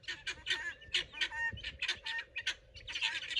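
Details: Pearl guineafowl, a farm flock kept for garden bug patrol and housed at night, calling loudly when excited: harsh, rapid, broken squawking notes in quick bursts, several birds overlapping, with a steady low hum underneath.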